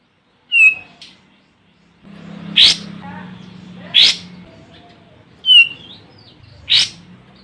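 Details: Olive-winged bulbul used as a lure to call a rival: short clear whistled notes with faint overtones, broken by loud harsh broadband bursts about every second and a half, over a steady low hum.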